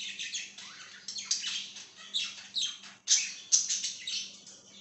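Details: Budgerigar chattering in a room, a dense run of quick scratchy chirps and downward-sweeping squeaks with a faint steady hum underneath.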